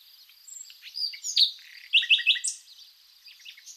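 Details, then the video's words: Spring song of a common nightingale from Zagorochoria in Epirus, Greece: scattered high whistles and slurs, then three loud ringing notes in quick succession, over a soft regular cricket chirping. "Amazing nightingale & cricket song"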